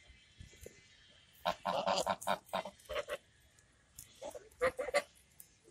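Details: Talkative domestic geese honking in a fast, uneven burst of nasal, harmonic calls, then a quiet gap before a second shorter cluster of honks near the end.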